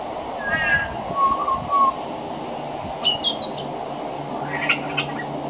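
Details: Pied butcherbird singing from a veranda in Australia, with mimicry of other Australian birds mixed in: a low whistled phrase near the middle, scattered higher chirps and short notes, over steady background hum.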